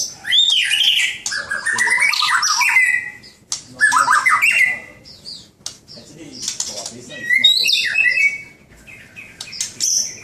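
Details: White-rumped shama (murai batu), a caged contest bird, delivering bursts of rapid, varied song: whistled slides, chattering runs and high piercing notes, separated by short gaps, with faint rustling in the background.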